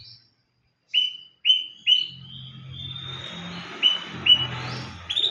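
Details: Oriental magpie-robin calling for a rival: clear upslurred whistles repeated about every half second in short bouts, then a drawn-out thin whistle over a faint low hum.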